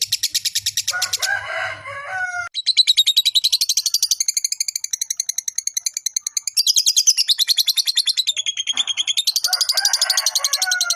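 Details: Fighter lovebird's long ngekek trill, used to provoke rivals and stir arousal: rapid high chattering pulses, briefly broken near the start by harsher lower notes, then resuming in long unbroken rattling runs.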